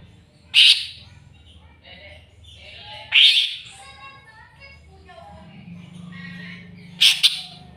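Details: Greater green leafbird roused against a rival, three loud harsh squawking bursts a few seconds apart over a busy background of fainter chatter and low hum.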